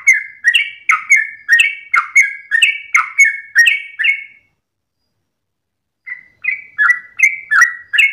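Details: Sooty-headed bulbul singing at dawn in 'ropelan' style, a rapid burst of chirpy slurred notes for four seconds, a silent gap of over a second, then another quick run.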